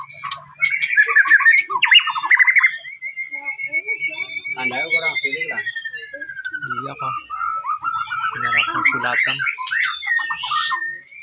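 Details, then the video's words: White-rumped shama provoking song with a long drawn whistle: opening chatter, then a sustained clear whistle slowly falling in pitch over several seconds, followed by scattered sharp chirps and trills. "PANCING MURAI BATU BUNYI CESS PLENGG!!!"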